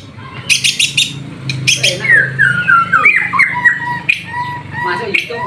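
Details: Caged white-rumped shama in full song while bathing in the afternoon; loud whistled phrases with sliding, falling notes and clear level tones, mixed with splashing bursts early on.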